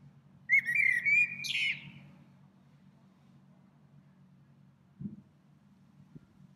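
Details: Spring song of a small bird that returns to one tree many times daily: a short whistled phrase, thin notes climbing steadily before a brief buzzy flourish, then quiet with a faint low thump.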